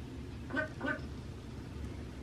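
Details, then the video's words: A rescued, human-imprinted talking magpie, indoors watching himself on a computer monitor, gives two short, nasal, quacking notes about a third of a second apart over a steady low hum. "Magpies reaction to seeing himself talk on computer Monitor!"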